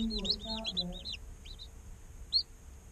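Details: Day-old domestic chicks chirping, real sound recorded as they chirp, sleep and play; a quick cluster of high, arched peeping notes in the first second, then scattered single peeps, with a faint low hum beneath.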